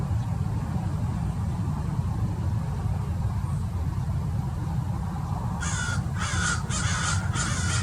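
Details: Wild American Crows, at least 30, mobbing a Peregrine Falcon at Mason Regional Park, Irvine, Orange County, California; after a steady low rumble of wind, four harsh, raspy caws come late, spaced about a second apart.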